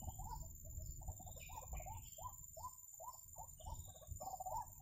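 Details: White-breasted waterhen, locally called ruak-ruak, wak-wak, baburak or kreo padi, heard where birds are being trapped: a steady series of hoarse, croaking two-part notes repeated about twice a second, with higher chirps of other birds and a low rumbling background.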